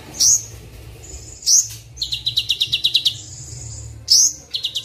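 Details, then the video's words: Sunbird song meant for training captive birds and luring wild ones: sharp high upslurred chirps separated by pauses, then a fast rattling series of notes, over a steady low hum. "30 menit pancingan/masteran Kolibri Wulung full isian mewah"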